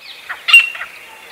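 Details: A grey francolin (Ortygornis pondicerianus) in Pakistan gives a single loud, harsh, high-pitched call note, with fainter scratchy notes around it and a quiet background.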